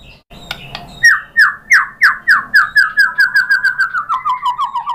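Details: White-rumped shama song used as a lure to stir other shamas to sing: a steady run of about fifteen loud downslurred whistles, repeated roughly three times a second and gradually quickening and softening.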